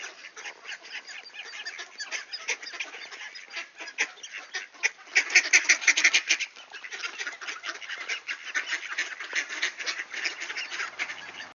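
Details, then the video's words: A duck greeting at a door, Sainte-Adèle, Quebec, Canada, September 16, 2024, just before noon, clear weather; rapid raspy quacks throughout, with a louder, honking outburst in the middle before the chatter settles. "Ducks Greeting at the Door"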